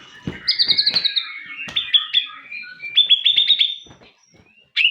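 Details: Rich white-rumped shama song mixing rapid trilled notes, sustained whistles and fast stuttering series, with sharp clicking or tapping knocks throughout, then a short pause before a final loud note.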